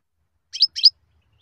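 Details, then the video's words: European goldfinch giving two short, bright upswept chirps in quick succession, high and clear, over near silence. "روعة تغريد طائر الحسون"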